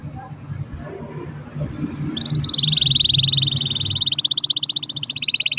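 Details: Canary in full singing form, the long-roll style used as a lure to prompt other canaries to sing: low rumbling background first, then a sustained fast trill from mid-clip, shifting to a higher, louder rapid roll near the end.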